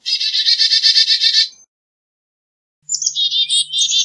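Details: Black-capped chickadee calling a fast run of rough, buzzy repeated notes, then after a pause a second buzzy series with a slightly higher, thinner start.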